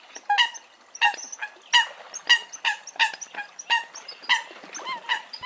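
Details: Eurasian coots calling: a busy run of short, honking, harmonic notes, some rising at the end, repeated more than once a second.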